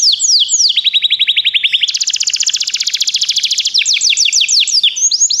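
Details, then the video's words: Begie canary song for training: swooping chirps turn into a fast rolling trill, then a very dense buzzy high trill, ending with slower downslurred notes; loud and clear throughout. "Canários Begie cantam muito"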